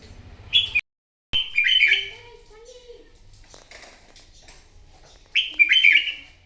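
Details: Red-whiskered bulbul, wild-caught, singing competitively in the morning: short bright warbled phrases with a few chattering notes, separated by quiet gaps, with a brief dropout and faint low background sounds.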